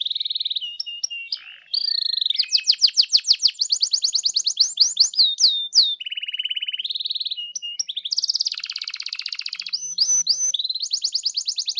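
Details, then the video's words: Canary song used as a lure to provoke other canaries into singing: fast trills and rattling tours of repeated high notes, switching between steady whistled tones and rapid buzzy runs, with sharp rising and falling slurs. "PANCING DENGAN INI KENARIMU LANGSUNG NYAUT GACOR"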